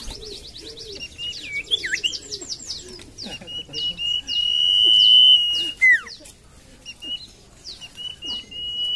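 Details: Common iora song used as a lure for birds reluctant to sing: several long, level whistles and steep downslurred notes, mixed with rapid falling chirps and busy twittering from other birds.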